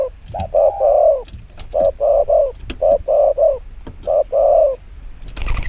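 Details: Spotted dove cooing fast in the 'chiêu gù kích bổi' manner, deep mellow notes in short bursts of two or three, some longer drawn coos, ending in a brief noisy rustle.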